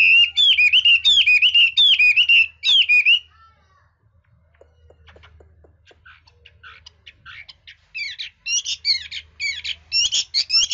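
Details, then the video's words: Hwamei in a song prized by bird-keeping enthusiasts for its skilful switching between voices: about three seconds of loud repeated whistled phrases. A quiet gap with faint notes follows, then bright chirping phrases return near the end. "Chú mi cực hay, đảo giọng hót tốt hót rất đẳng cấp"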